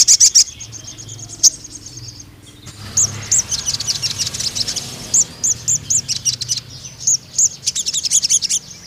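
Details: Vigorously singing ruby-cheeked sunbird, a lure and tutor song for spotted juvenile males: long series of very high, sharp chipping notes in rhythmic bursts, rising into a rapid chatter near the end.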